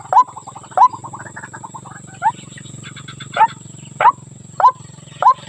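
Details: Female white-breasted waterhen calling the male, a lure call: loud hooked notes every half second to second, separated by softer chattering notes, over a thick low droning hum.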